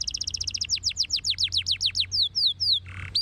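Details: Canary singing a rapid sequence: a fast trill of short high notes, then slower repeated down-slurred whistles, then three longer descending whistles and a brief buzzy note; song played to prompt other canaries to answer, with a faint low hum beneath.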